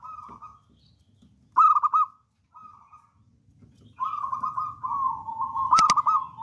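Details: Local wild-type zebra dove used as a lure singer, giving short coo phrases and loud pulsed bursts, then a long rolling trill, with a sharp click near the end.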